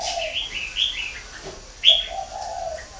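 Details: Low, smooth coos of a spotted dove at a bird-breeding farm in Ba Vì, northern Vietnam, opening and closing the moment, with high sliding chirps from other small birds in between.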